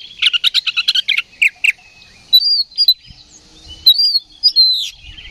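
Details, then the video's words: Oriental magpie-robin in fighting song used as a lure: a fast rattling series of chirps opens, followed by spaced arching whistles and short downslurs. "KACER GACOR NGEPLONG TARUNG !! PANCINGAN KACER PALING AMPUH BUAT MENAIKAN EMOSI KACER AUTO RESPON"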